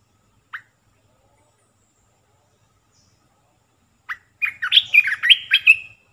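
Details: Olive-winged bulbul decoy song played to attract wild birds: two isolated short chips separated by long silence, then a fast burst of rich warbling notes closing on a drawn-out whistle.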